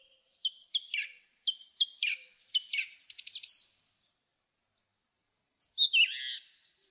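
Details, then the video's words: A song thrush repeats a sharp clipped note several times, breaks into a rapid rattling trill, then after a pause adds a high squeaky phrase. "Song Thrush Singing"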